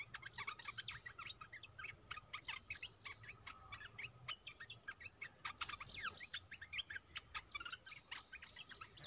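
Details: Olive-winged bulbul kept in a cage, singing energetically: a long, dense stream of rapid chirps and chattering notes, about four per second, busy and uneven, over a soft constant high-pitched hum.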